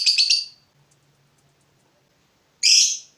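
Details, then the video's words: Fighter lovebird provoked by a rival, giving a short burst of harsh chattering notes, a silent pause, then one loud rasping shriek. "Lovebird FIGHTER terpancing Panas, nyaut Ngetik lanjut Ngekek Panjang"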